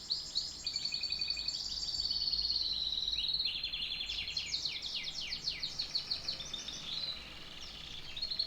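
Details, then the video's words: Canary in full song: a rolling high trill followed by rapid swept chirps and varied fast phrases, bright and continuous throughout. "The best tweets of a canary bird"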